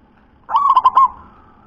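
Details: Local wild-type zebra dove with a thick, deep voice: a single half-second phrase of four or five quick, rolling coo pulses that fades into a soft tail.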